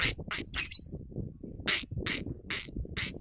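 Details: Caged lovebird set out in the sun, giving a string of short, harsh, raspy chirps, about seven bursts in three seconds at uneven spacing, over a steady low rumbling background.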